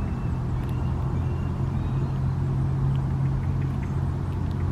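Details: Steady low rumble of road traffic and engines, with no animal calls standing out.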